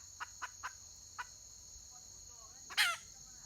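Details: Red junglefowl hen in the wild, 31 May 2023, gives a few soft, evenly spaced clucks, then a single loud, rasping squawk. A continuous shrill insect hum runs underneath.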